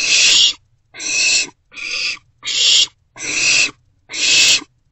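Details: Owlet in a nest box around 1:40 am on 27 March 2024, after a parent delivers a vole; six hoarse hissing screeches, roughly one every 0.8 seconds, in a quiet box.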